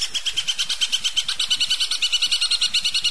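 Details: A long-tailed shrike gives a fast, steady chatter of bright, high notes, about ten a second, with no other sounds; the recording is meant for training cage birds to sing.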